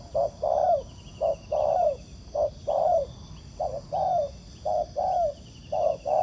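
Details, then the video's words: Cooing of a wild spotted dove reacting to a ground decoy during trapping. Regular pairs of deep notes, each a quick coo then a longer falling one, run through the recording with faint background hiss. "Bẫy cu gáy mồi đất, gặp chú bổi gù tốt, đẹp chim, có tố chất"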